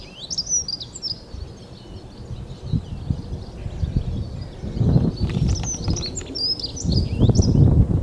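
A Dunnock gives two quick, high, jingling warbles, one at the start and one near the end, over a steady low rumble of wind or distant traffic.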